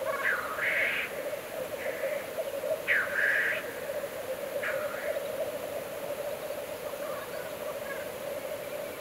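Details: Black grouse at a lek on a bog giving a continuous low bubbling rookoo, broken every couple of seconds by harsh, hissing sneeze-like calls; finding: Black grouse.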